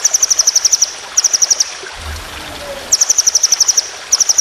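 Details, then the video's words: White-rumped shama training recording for contest birds in the long roll-speed 'tembakan' style: rapid runs of sharp, high notes, each about eight notes long, broken by a short pause, over soft hiss. "Masteran Burung Lomba Tembakan Panjang Roll Speed"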